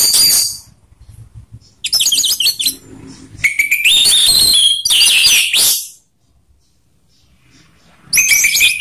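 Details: Orange-headed thrush song in ngeplong style, rough and slow voices combined as a lure for other birds; several loud bursts of dense, high warbling with steady whistled notes, separated by short quiet gaps.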